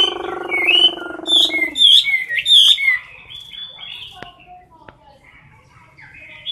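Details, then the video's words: Competition singing from a caged Chinese hwamei at close range: loud swooping whistles and warbled phrases after a low droning tone, trailing into quieter scattered notes with a few sharp clicks. "Mi mơ hót đấu cực "Đỉnh""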